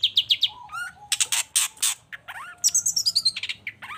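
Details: Energetic long-tailed shrike song, played to rouse a silent shrike to reply: quick high chips, rising upslurred whistles, harsh scratchy bursts and a rapid descending series of clear, high notes.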